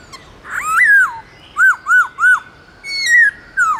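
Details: White-browed laughingthrush singing in the forest-voice style, loud and clear: a rising-then-falling whistled phrase, three short arched whistles at a quick even pace, then a long falling whistle and a final downslurred note, on a quiet background.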